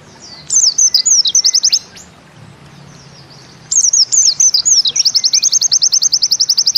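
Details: Pleci, or white-eye, giving Bustomi-style song with its 'ziperrr' shot: a high zigzag twitter, a short gap, then rapid even chips rolled into a sustained zipper trill.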